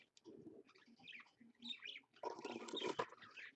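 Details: An adult parakeet with two babies at 6 AM, 1 April 2015, chatters in a busy mix of short chirps, warbles and raspy notes, with a louder burst of overlapping calls near the end.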